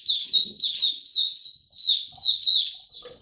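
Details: Male mata puteh (white-eye) developing its song, 9 February 2022: string of loud, high, swooping chirps in uneven bursts, with faint soft low sounds at the start and end.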